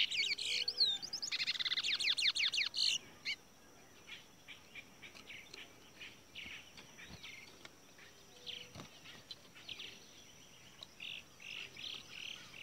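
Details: Seed finch (towa towa) in a cage during a bird-race song contest, opening with a loud burst of fast descending whistled notes, then softer short chirps scattered through the rest, with a constant high electrical whine.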